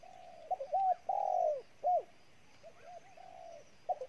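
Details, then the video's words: Newly caught spotted dove from Ninh Thuận, Vietnam, cooing intensely: short clipped low notes, then a long drawn coo bending downward, followed by more quick paired coos and a softer trailing phrase, with a quiet background. "Cu gáy Ninh Thuận"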